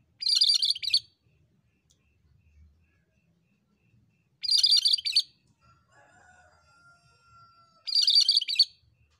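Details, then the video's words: Cucak kerinci bulbul singing energetically (gacor) in a long-duration training (masteran) recording; three dense bursts of rapid, high twittering chirps about every four seconds, a faint thin whistled tone between them, otherwise near silence. "MASTERAN BURUNG KERINCI GACOR DURASI PANJANG"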